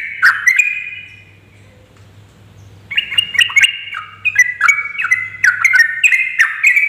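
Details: Female yellow-vented bulbul calling to lure males into singing, with rapid bursts meant to stir other birds: an opening chirpy burst, a quiet stretch over a low steady hum, then from three seconds a quick string of bright, slurred chattering notes.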